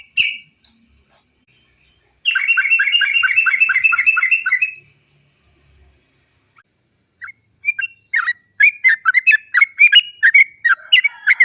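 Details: Sooty-headed bulbul singing a long 'satu nafas' trill as a lure for other trucuk birds: a sustained two-and-a-half-second roll of fast even notes, then a quiet gap, then a busy run of varied chattering notes.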